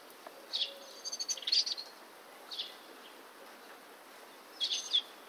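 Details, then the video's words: European robin singing in Bratislava on 29 March 2013: short, thin, high phrases in separate bursts about two seconds apart, each a quick jumble of sweet trills and squeaky notes. "Robin - Erithacus rubecula"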